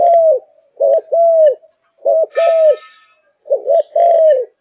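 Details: Kept spotted dove of Malaysian stock, singing at full intensity: three low mellow phrases, each a quick double coo then a sustained arched coo, with a brief brighter harmonic-rich note mid-way.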